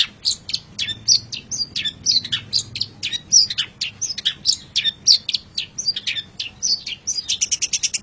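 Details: Long-tailed shrike singing continuously in a master recording: rapid, varied chattering of sharp, high notes and buzzy slurs, ending in a fast run of clipped repeated notes.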